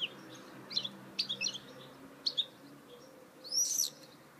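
A goldfinch mule sings bright, high twittering chirps in short bursts, ending with a quick rising, liquid trill, over a steady low background hum.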